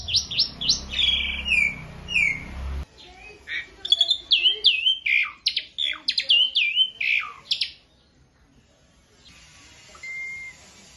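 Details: Young learner Asian pied starling delivering a burst of whistled, swooping phrases and harsh chatter, then falling quiet near the end, with low rumbling background noise at the start.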